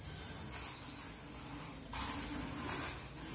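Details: Red avadavat, also called strawberry finch, giving a few short, very high, sharp notes. Some notes slur slightly upward, followed by a brief hiss of background noise.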